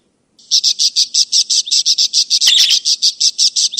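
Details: Budgerigar calls used as a lure for escaped budgerigars and as a tutor for other birds: a fast, even run of sharp chirps, about five a second, with a harsher burst midway.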